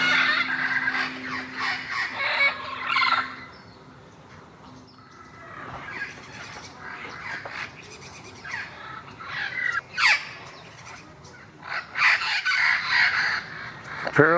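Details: Wild parrots in Irvine on November 1, 2016, thought to be a mating pair, give harsh, raspy squawks in loud bursts, strongest at the start, then scattered screeches and rough chatter between quieter gaps.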